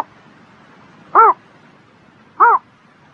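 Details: Two short, arched bird calls about 1.2 seconds apart on a spring morning, each a brief rich note rising and falling, with quiet low background noise between.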